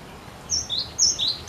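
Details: Cinereous tit singing persistently and energetically to prompt other birds to sing: a brief run of high, thin whistled notes that alternate between a higher and a slightly lower pitch, paired and quick, over a quiet background.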